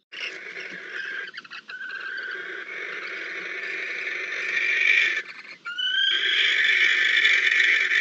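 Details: Barn owls (Tyto alba) at Riet Vell nature reserve, Spain, on 26 October 2023, during food delivery, copulation and incubation of nine eggs, give a continuous harsh, rasping hiss, broken briefly, then resuming louder with a few thin rising squeals.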